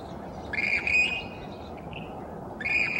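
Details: Western grebes during mate selection at early morning sunrise; harsh, rasping two-part calls with a strained, rising start, given twice with a pause, over a low steady background rumble.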